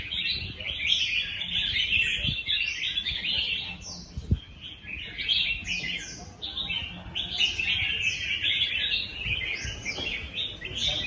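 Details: Red-whiskered bulbuls in a singing contest: dense, overlapping bright chattering and warbled phrases that run almost without pause, with short rising and falling notes layered over one another and faint low background noise.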